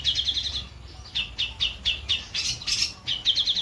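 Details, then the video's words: Long-tailed shrike, a white-breasted bird, singing a rapid chattering song of repeated bright trilled notes in short bursts, with brief pauses between phrases. "CENDET DADA PUTIH MATERI MEWAH"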